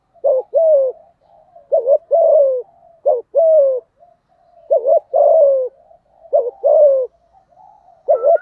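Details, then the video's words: Earthy-voiced male spotted dove cooing to stir up a rival male, giving five steady phrases, each a quick two-part note and a drawn-out falling coo, with a soft trailing hum between them and a thin high whistle at the end. "Tiếng cu gáy giọng thổ thúc gù kích bổi hiệu quả/ chim cu gáy kích bổi"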